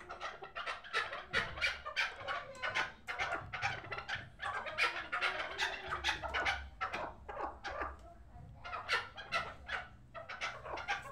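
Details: Rapid rolling chuck-chuck series from a hybrid chukar partridge, a last-year chick bred for fighting and hunting. The notes are harsh and clipped, bunched into fast runs with brief gaps, over faint low background hum.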